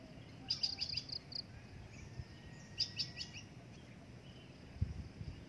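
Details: Adult drongo kept for breeding, calling in two short bursts of rapid, bright, high-pitched chips, each burst of about five notes, with quieter scattered notes between and low rumbling background noise.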